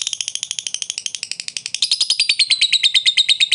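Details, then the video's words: Lovebird song played to rouse a silent bird into singing: a fast train of shrill, buzzy chirps, roughly three per second, growing louder and merging into a sustained high trill toward the end. "Terapi Lovebird malas bunyi dengan suara burung Lovebird ini bisa jadi aktif kembali"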